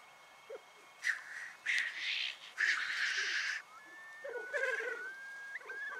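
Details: Displaying black grouse at a morning lek in the Cairngorms National Park give three loud rasping hisses in quick succession, then short bubbling notes, with a thin drawn-out whistle near the end.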